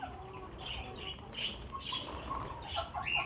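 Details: Roughly fifty budgerigars in a cage, during a move to a larger flight cage, keep up an irregular stream of quick chirps and raspy twitters, overlapping, with a steady low rumble beneath.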